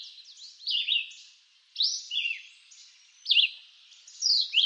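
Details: In eastern North American woods, a red-eyed vireo repeats terse whistled phrases, alternating downslurred and upslurred notes with pauses of about a second between each phrase.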